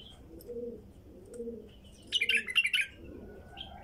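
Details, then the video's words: A wild female bulbul gives a quick, bubbly burst of bright chirping notes lasting under a second, while a dove coos softly and steadily in the background. "تغريد بلبل نثيه وحشي"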